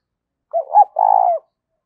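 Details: Lure spotted dove cooing: a soft short note, a brief rising coo, then a long vibrating, burry coo that drops at the end. No other sounds.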